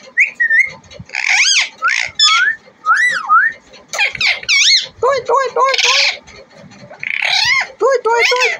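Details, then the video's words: Talking desi parrot, a native Indian pet, produces a busy string of squeaks, warbles and short speech-like syllables. Many notes bend up and down quickly, and a human voice is heard faintly nearby. "देशी तोता🌻बोलने वाला | Deshi Tota Bolane Wala | Deshi Parrot Talking"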